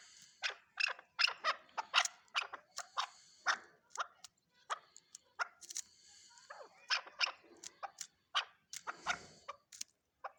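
Chukar partridge giving harsh, clucking chuck notes in rapid, uneven bursts of several per second, rising into a loud rattling series with short pauses.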